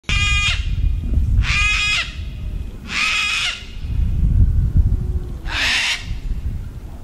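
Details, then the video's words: Cockatoo giving four loud, harsh, raspy screeches, each about half a second long and spaced roughly one and a half seconds apart, over a steady low rumbling background. "Amazing Cockatoo call"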